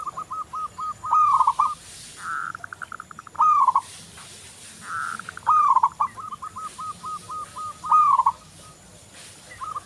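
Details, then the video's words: Local zebra dove (perkutut lokal) singing lively, offered as a lure: staccato cooing phrases of rapid notes near one pitch, falling at the end, about every two seconds, with buzzy hums and short note runs between them. "Perkutut lokal Gacor"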